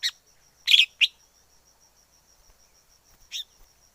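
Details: Wild forest red-whiskered bulbul uttering a quick cluster of rich chirped notes, then a lone softer note after a pause, with a faint ticking tone in the background.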